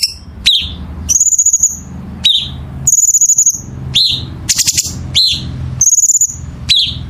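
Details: Songbird in a masteran recording: sharp downslurred notes, high drawn-out whistles and short rattling bursts repeat in lively alternation, with a faint low hum underneath.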